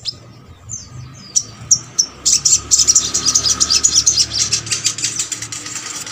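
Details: Sogok ontong song used to prompt reluctant birds of its kind to sing: a few thin, sliding whistles, then a fast, shrill, rattling twitter over a steady background hiss.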